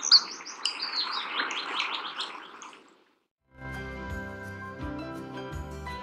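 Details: White-throated (European) dipper calling: a rapid run of high, sharp chirps and twitters for about three seconds over a faint rushing hiss, then music takes over; White-throated dipper.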